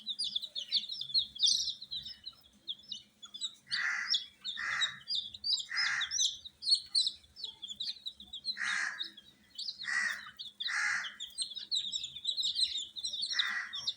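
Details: Many coloured baby chicks kept under provided heat, giving a dense chorus of high, downslurred peeping chirps, overlapped by repeated broad, rasping bursts roughly every second.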